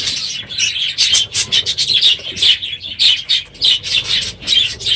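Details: Many budgerigars in an aviary, unusually noisy in the morning at the end of the breeding season, giving bursts of sharp high chirps and chatter with short pauses between.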